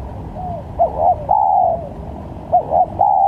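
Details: Spotted dove call with varied notes, used to lure birds for trapping. A soft opening coo, then two close phrases of clipped short notes ending in a long, full, slightly wavering coo.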